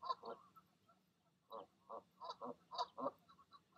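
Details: Goose parents in the evening urging goslings to leap from the nest; short throaty grunts in uneven bursts with soft high peeps in between.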